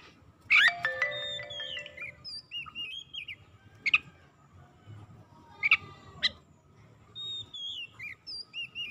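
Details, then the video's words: Oriental magpie-robin song used as a lure for quiet, sluggish birds. A loud harsh burst opens, followed by scattered sharp chips and soft curling whistled phrases, over a low background rumble. "PANCINGAN KACER LELET BISU | PASTI AKAN IKUT GACOR NGEPLONG GACOR"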